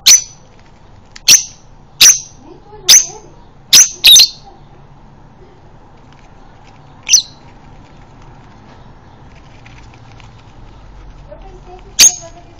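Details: Male lovebird in breeding condition, kept to prompt other lovebirds to sing: sharp, high, isolated chirps about once a second, a brief double note, then sparse calls separated by long quiet gaps.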